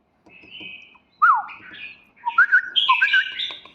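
Red-whiskered bulbul giving a lively run of bright, liquid whistled and chirpy notes, rising and falling over about three seconds; faint voices underneath.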